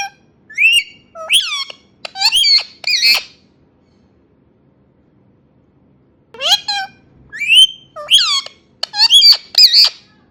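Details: Indian ringneck parakeet talking in two long runs of speech-like chatter, mixing rising whistled notes, sharp clicks and buzzy squawks, with a few seconds of quiet between.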